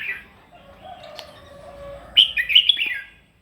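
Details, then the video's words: A red-whiskered bulbul sings its morning fighting song for voice training: a soft note, a faint low whistle, then a loud, quick string of bright, slurred whistled notes. "kích chào mào mũ hót đấu buổi sáng luyện giọng kích chim hót căng lửa"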